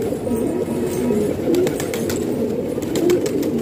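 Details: Pigeons kept by a hobbyist in a house in Pakistan, giving low, soft coos with a few sharper cooing notes over a steady murmur. Brief clicks and taps are heard in the background.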